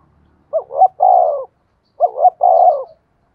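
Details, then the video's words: Female spotted dove used as a decoy to provoke other doves into cooing. Two three-part coos, each a short double note followed by a longer falling hollow coo, about 1.5 seconds apart, in a quiet setting. "tiếng cu mồi thúc bổi"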